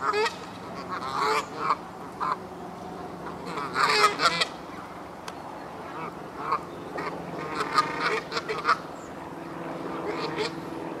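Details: Canada geese in the Hertener Schlosspark, Germany, giving loud nasal honks in irregular bursts throughout, several birds calling over one another with steady low background hum.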